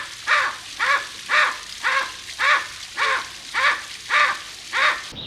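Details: Captive Bateleur in a walk-in aviary at Berlin Zoo, striking a dramatic pose, gives nine harsh, barking, slightly arched caws about twice a second over steady hiss; said to call rarely.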